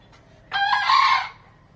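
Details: Snow-white Bekisar, a green junglefowl and chicken hybrid, described as a frequent caller, gives a single short crow lasting under a second, an abrupt harsh start then a rough, slightly falling drawl, in a quiet setting.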